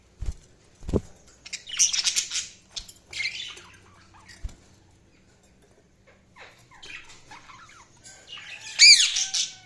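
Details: Budgerigars chirping in separate scratchy bursts, interrupted by a few dull taps, ending with a loud, piercing high chirp.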